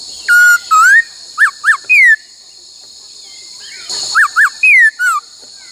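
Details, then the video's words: Laughingthrush singing during training in the 'bắt cô trói cột' style: long level and rising whistles, paired sharp peaked notes and a downward slur, repeated after a pause, with a continuous high hiss and brief noise. "Luyện khướu hót bắt cô trói cột , luyện hót nhiều giọng cực hay"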